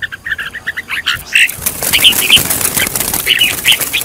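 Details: Red-whiskered bulbul singing, a bird being trained as a decoy singer: bright whistled notes around two to four kilohertz in short phrases, with dense rustling, flapping-like noise throughout.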